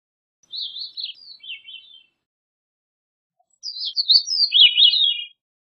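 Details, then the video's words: Gray-cheeked Thrush (Catharus minimus) singing: two thin, high, fluty phrases of about one and a half seconds each, wavering and then sliding down at the end, separated by a short silence. "Gray-cheeked Thrush Singing"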